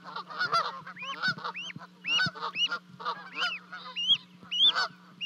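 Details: Goslings are recorded by a livecam in Charlo, Montana, on 12 May 2020, after two leapt off a 30-foot-high nest to join their parents. Scattered shrill rising peeps and coarser lower notes play over a low steady hum.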